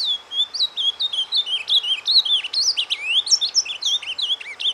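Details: Captive azulão, the ultramarine grosbeak, in surdina soft song used to stimulate a breeding flock: unbroken run of quick high whistled notes, upslurs and downslurs tumbling together without pauses.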